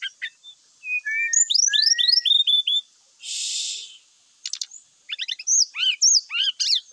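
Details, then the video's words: Grey-chested jungle flycatcher in full song, used as a lure to prompt other birds to sing: rapid series of high, sharply falling whistled notes, a short buzzy burst midway, then clicking ticks and more swooping whistles. "pancingan srdc bikin cepat bunyi , sikatan rimba gacor bikin emosi , srdc full isian.."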